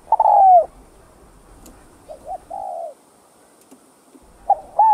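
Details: Spotted dove; coo; stimulating other males to call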